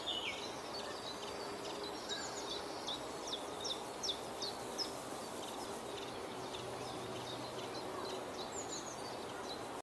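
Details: ['Chiffchaff singing at Beemdkant, Wijnegem, on 26 June 2020, repeats short, high, alternating notes in a long series, with a few other faint bird notes and continuous low environmental rumble and hiss.']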